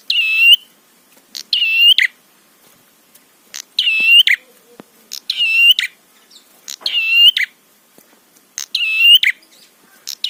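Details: Prinia singing to provoke rivals: a long run of seven nasal, buzzing phrases at a somewhat uneven tempo, each opening with a sharp tick and closing with a gritty burst.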